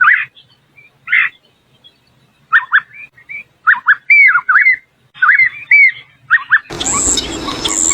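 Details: Purple-throated Euphonia (fim-fim), a Brazilian bird, singing short clear whistled phrases, some rising and some falling, in clusters about every half second, ending abruptly in a burst of loud broadband noise.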